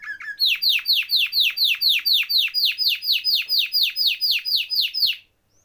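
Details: Canary in vigorous song, a tutor recording to get silent canaries singing: a steady run of loud downslurred notes, about three per second, repeated evenly for five seconds before stopping.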